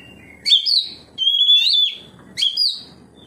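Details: Kacer (Oriental magpie-robin) singing 'ngeplong' in reply to another kacer: three bursts, each opening with a high sharp flick, the middle one a sustained level whistle with a final dip.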